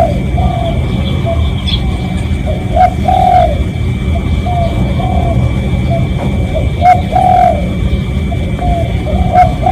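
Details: Real spotted dove call used to attract other doves: soft, low cooing notes in loose series, two fuller phrases standing out, over persistent low-frequency rumble and occasional faint clicks.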